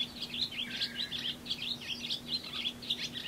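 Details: A male barn swallow, one of the first of spring 2011, perches atop a light pole and broadcasts his presence in a long serenade: a fast, continuous twitter of high chirps and squeaky warbles over a faint electrical hum.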